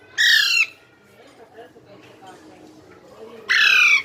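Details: Baby parrot calling: two loud, harsh, rasping squawks with stacked overtones, each about half a second long, about three seconds apart, with faint soft chatter in between.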